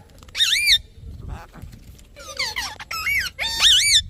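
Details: Parrot chirping: bright, high whistled notes with rising and falling warbles, given in short bursts separated by brief pauses, over a quiet low background hum.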